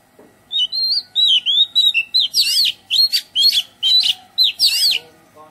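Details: Garden recording of an Oriental magpie-robin's melodious song: several pure rising whistles at the start, then a lively chain of twisting, scratchy-toned phrases repeated in quick, even bursts.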